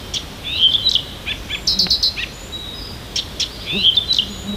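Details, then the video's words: Morning song of a small Siberian bird near Tomsk, one of many varied verses: high whistled slurs mixed with sharp ticking notes and short buzzy bursts, shifting phrase to phrase. "Послушайте как поёт сибирская птичка!"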